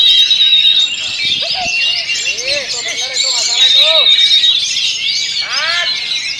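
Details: Kacer, or Oriental magpie-robin, delivers a rolling stone style song, fast and packed, under strong wind. It pours out unbroken high twittering with sustained whistles, while lower arched chirping notes come in bursts around the middle and end.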